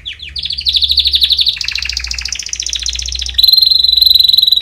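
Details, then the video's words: Canary singing, played as song training for chicks: fast rolling trills of high repeated notes, shifting through several tours, lower warbled phrases, then a loud, steady, very rapid trill at the end; a faint low hum underneath. "Canary Singing - Most Spectacular HD Video Training For Chicks"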